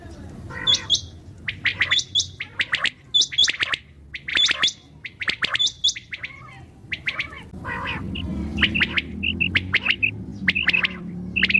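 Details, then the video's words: At night, common quail give repeated clipped three-note phrases and high squeaky notes, steady for several seconds, later mixed with short whistled chirps above a growing low rumble. "QUAIL SOUND||بٹیر کی اواز||NIGHT SOUND||RAAT KI AWAZ"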